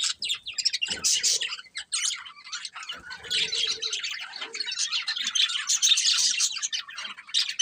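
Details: Colourful budgerigars, a breeding pair, giving continuous scratchy, rapid chirping chatter, high and buzzy, with a few soft low knocks in the background.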